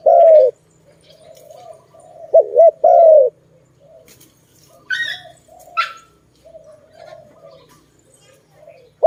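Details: Zebra dove, the Malay dove, uttering rolling coos and long level notes, then softer scattered coos, with two brief higher chirps from another bird midway.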